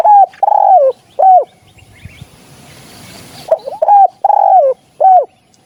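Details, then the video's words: Spotted dove call recording used as a hunting lure: loud, hollow coos near 700, in short phrases of two or three notes, with a brief gap of soft background noise midway. "เสียงนกเขา หมานๆ"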